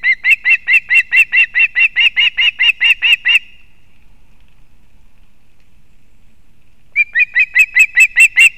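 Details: Osprey female feeding fish to a chick at a nest in Kurzeme, Latvia, 31 August 2024: loud, regular piping whistles in a fast run, a few seconds of quiet, then the chirping series resumes.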